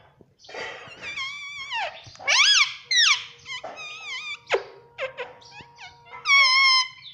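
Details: Talking pet Indian ringneck parakeet indoors asking for roti: a rapid string of nasal, speech-like syllables, some sliding downward and others wavering, with harsh bursts and squeaky whistles across seven seconds, in a small room.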